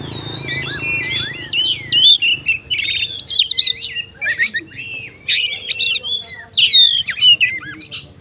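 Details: Fighting oriental magpie-robin singing a full, varied song meant to provoke other magpie-robins: fast twisting whistles, rising and falling slurs and scratchy notes in rapid bursts, with a low hum at the start.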